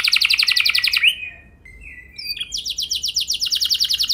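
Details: Canary lure song aimed at prompting other canaries to sing long rolls: a fast buzzy trill, a brief soft gap with faint notes, then a rapid rolling trill resumes strongly.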